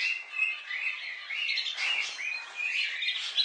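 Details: Several pet budgerigars chattering together: a dense, continuous warble of bright chirps and rolling trills with quick rising and falling whistled slides, overlapping without pause.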